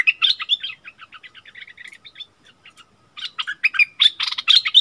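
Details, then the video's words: Bulbul answering a wild bird in a heated song duel, March 2021; an opening of loud chirps, then a quieter run of fast, even notes, a short lull, and a closing burst of loud harsh phrases. "เสียงต่อนกดอกแตงEp.39 เปิดดอกดวลเดือดกับนกป่า Burung merbah lekir"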